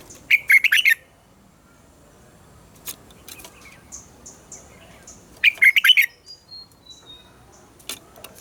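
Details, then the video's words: Red-whiskered bulbul singing a mature wild-style double-note morning song meant to train captive birds. Two short, warbled five-note phrases are about five seconds apart, with thin high whistles and faint chirps in between. "Luyện giọng cho chào mào hót sáng - ép chào mào hót âm kép già rừng hay tuyệt!"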